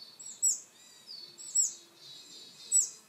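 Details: Willow tit calling: three bursts roughly a second apart, each a high thin chip running into a hoarse, buzzy drawn-out note, with faint rustling between calls.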